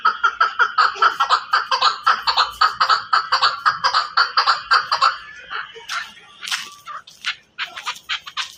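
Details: Chukar partridge in Pakistan repeating rapid, even chuk notes at a mid pitch for about five seconds, then breaking into rougher, scattered calls.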